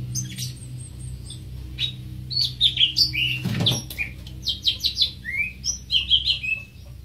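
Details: Greater green leafbird pouring out a jumble of quick chirps, whistles and clipped notes, with a low steady hum underneath and a brief dull thump midway.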